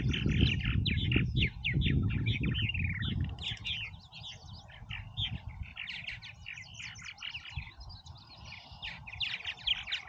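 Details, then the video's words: Purple martins bustling in Oak Harbor, Ohio, a near-continuous chatter of quick high chirps and creaky notes from several birds, with a low rumble fading after the first few seconds. "Purple Martins Oak Harbor, OH"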